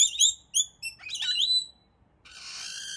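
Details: Rainbow lorikeets, wild visitors to a Melbourne balcony in Australia, let out piercing high squeals and descending screeches, followed by a steady rasping buzz.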